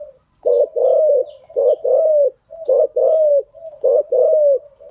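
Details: Spotted dove cooing, a recording used as a lure to train newly caught birds; deep hoarse coos in paired bursts, a short note then a longer drawn-out falling coo, repeated about every 1.2 seconds.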